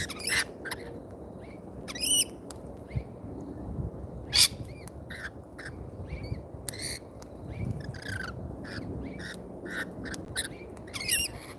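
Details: Several lorikeets at a feeder in Australia give intermittent sharp shrieks and scratchy chirps, spaced irregularly, over low background noise.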